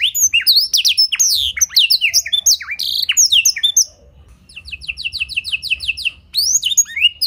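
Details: Canary tutored with blackthroat song, clear-voiced, for prompting other canaries to sing: dense quick whistled sweeps, then a lighter series of evenly repeated high notes after a brief lull.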